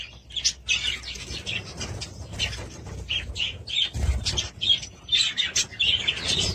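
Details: Budgerigars giving bursts of squeaky chirps and short warbles separated by brief gaps, with soft low rustling and thumps, likely wing movement.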